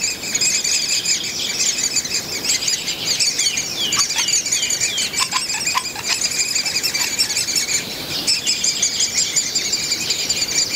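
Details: Great spotted woodpecker young in the nest, fed by a breeding pair at Mønsted Kalkgruber on 30 May 2020: dense, continuous high chattering of stacked squeaky notes, with a few sharp clicks or knocks around the middle.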